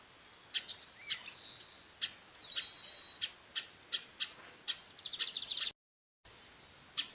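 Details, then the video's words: A female chestnut-capped blackbird calls insistently, giving a fast run of short, hard, high chips roughly every half second, with a few faint softer notes between them and a constant thin high drone behind. "Fêmea de Garibaldi chamando muito"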